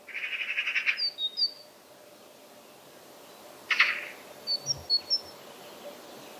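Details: Great tit (Parus major) song phrases, high and two-noted, heard after loud harsh buzzy bursts at the start and midway; the 'teacher' notes come in a few short runs over a faint hum.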